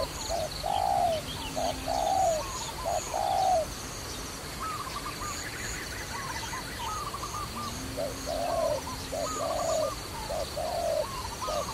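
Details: Dove tied to trapping coos in low short-long phrases at the start and end, with a quieter middle stretch filled by higher stuttering chirps from other birds and a faint low hum.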